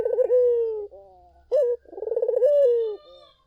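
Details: Vigorous collared dove song used to lure other doves into answering: a sustained throaty coo, a brief clipped note, then a trilled, rolling coo ending in a smooth falling tone.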